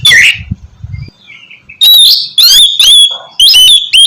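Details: Oriental magpie-robin (kacer) song meant to prompt another bird to sing; a harsh opening note, soft twitters, then quick bright whistled phrases repeated with sliding pitch.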